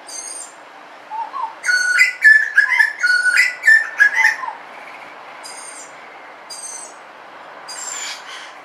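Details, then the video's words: Butcherbird singing in suburbia: a burst of clear, fluted whistles around two seconds long with several short rising and falling notes, then sparse softer high phrases after a pause; steady faint background hiss. "BUTCHERBIRD SOUND IN SUBURBIA suara burung jagal"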